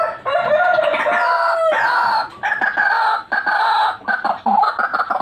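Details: White-breasted waterhen (ruak-ruak) calling in a recording used to lure birds: loud, harsh, croaking notes in long drawn-out bursts, broken by short pauses.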